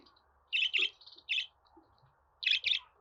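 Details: Budgerigar giving bright, scratchy double chirps in two clusters, separated by a pause, over a faint steady hum.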